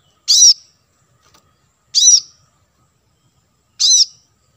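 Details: Three evenly spaced, sharp, high chirps from a plain-throated sunbird (kolibri kelapa), about one and three-quarter seconds apart, with a tiny faint tick between. Played as a lure for wild birds, in otherwise quiet surroundings.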